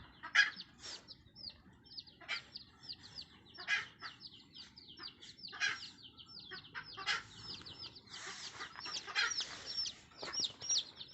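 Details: Mother red junglefowl calling her chicks, heard at moderate distance: scattered clucking bursts every few seconds over a steady wash of high, slurred chick peeps, with a low background hiss.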